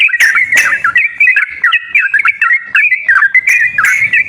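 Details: Sooty-headed bulbul song played to coax a quiet bird into singing: brief, liquid, warbled whistle phrases that rise and drop, broken by a few sharp clicking notes.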